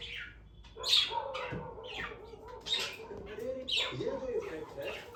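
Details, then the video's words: Budgerigars in a room giving scratchy, rising chirps over a continuous soft warbling chatter, with a few louder sharp notes standing out. "Budgies sound || Chirpy Birds"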